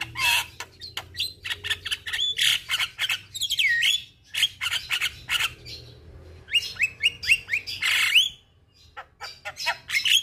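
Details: Javan myna song played as therapy for a stressed caged bird, a busy medley of harsh clicks, buzzy notes and whistled upslurs, with rapid squawky phrases and repeated rising whistles around the middle.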